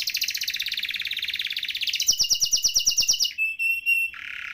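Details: Canary song with a long buzzy roll, then a rapid clicking trill of sharp notes, a few pure whistled tones and a lower rough trill at the end.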